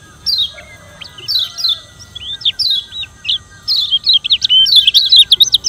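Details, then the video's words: Yellow white-eye (kecial kuning) from Lombok with a challenging song used to provoke rivals. It gives rapid high twittering chirps and slurred notes in short bursts that grow denser toward the end, over steady faint background tones. "Kecial Kuning Suara Menantang Ampuh Bikin Lawan Ribut dan GACOR"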